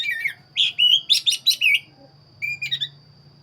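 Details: Loud, close black-breasted magpie-robin pouring out 'gacor' song: a rapid string of bright warbled whistles and rich buzzy notes, a brief pause, then a shorter whistled phrase.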